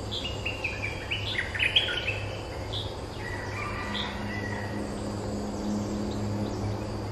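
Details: Streak-eared bulbul, a territory holder answering lure calls: a quick cluster of sharp, chirpy notes in the first two seconds, then a few softer, scattered notes over low droning background noise.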